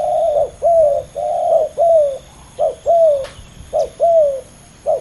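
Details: Spotted dove, two males competing fiercely: short mellow coo notes near one pitch, some slightly falling, repeated in quick irregular runs of about one per second, with a faint steady hum behind.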